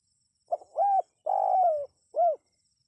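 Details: Spotted dove call for getting wild birds to respond: a brief hoot, a swelling arched note, a long rough coo that dips at its end, then one clear rounded hoot. Low-pitched and clean.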